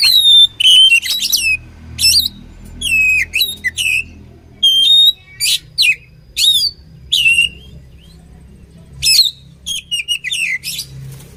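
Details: Oriental magpie-robin song used for training birds, with loud varied phrases of sharp sweeping whistles and harsh chirps in bursts, separated by short pauses and a longer gap near the end.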